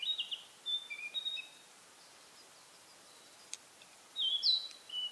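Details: Narcissus flycatcher perched on a pine branch in pine forest in spring, singing as if claiming territory: short, clear, high whistled phrases, some sliding up or down, in two bursts separated by a quiet gap, over faint hiss. Narcissus flycatcher.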